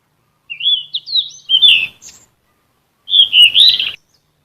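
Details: Golden flycatcher song used to train caged songbirds: a run of rising and falling whistled notes, then a brief gap and a second rich warbled phrase.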